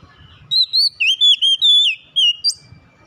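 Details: Oriental magpie-robin song intended to quickly bring an off-form bird back into song: a run of melodious whistles, some wavering and some sliding down, closing with a sharp rising note.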